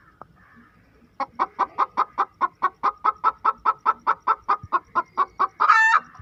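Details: Hen cackling after laying an egg, a brisk series of evenly spaced sharp clucks ending in a long, strained, rising squawk.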